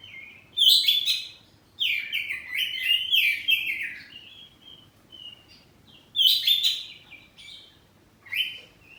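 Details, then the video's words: Oriental magpie-robin, home-kept kacer poci, singing ngeplong in an answering exchange: separate loud bursts of harsh chirps and quick whistles, each a second or two long, with short quiet gaps between them. "Kacer ngeplong saut2an || kacer poci rumahan || suara kacerpoci"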